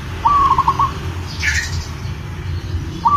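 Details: In breeding condition, a local zebra dove calls for a female with a held cooing note dissolving into quick stuttered beats, followed after a pause by the start of another phrase; one brief higher chirp between them, low hum beneath.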